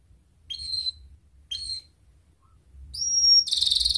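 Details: Atlantic canary lure song for getting canaries to sing. Two short, high chirped notes a second apart, a pause, then a long thin high whistle breaking into a fast buzzy trill.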